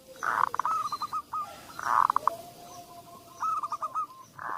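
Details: Zebra dove song used as a lure for doves that rarely sing: bursts of rapid soft notes followed by trilled cooing phrases, repeated several times, with a faint steady hum and occasional high chirps in the background.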